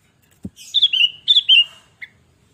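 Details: Sooty-headed bulbul singing energetically, used as a lure and tutor recording: two clear whistled phrases, each opening with a bright note then sliding into a level whistle, followed by a short chirp and a soft thud.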